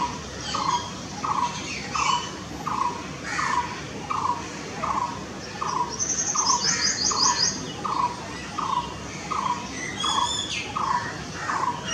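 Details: A Blue-throated barbet (Megalaima asiatica) repeats a low, hollow, rolling note about every two-thirds of a second. A Purple sunbird adds a thin, high trill and a few sharp chirps.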